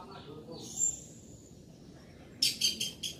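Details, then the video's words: An orange-headed thrush sings loudly, giving a thin, high drawn note and then, after a pause, a quick burst of four sharp, bright notes. "Anis merah gacor volume keras"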